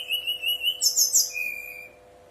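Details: Brown-chested jungle flycatcher song, kept bird, played to prompt other birds of its kind to answer and sing; a long thin whistled note, then a burst of high rapid twittering, ending on a lower steady whistle.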